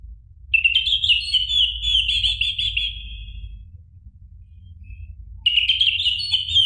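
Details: Loud orange-headed thrush song in the ngeplong style, meant to prompt a caged bird. A rich, rolling warbled phrase lasts about three seconds, followed by silence and a second phrase beginning. Steady low hum.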